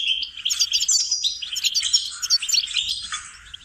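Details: Goldfinch song recorded for training and teaching captive songbirds, a fast, bright twittering of high tinkling notes and short trills tumbling over one another without pause, with no other sounds.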